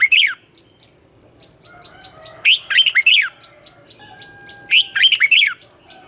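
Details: Red-whiskered bulbul morning song in the twisting 'giọng xoắn' style, used to train young birds and for competitive singing: three short, rapid warbled phrases of rising and falling whistled notes, with a steady thin high whine in the background.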